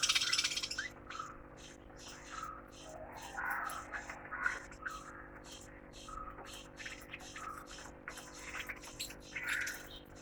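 Budgerigars chatter in quick, scratchy chirps and warbles over a low electrical hum.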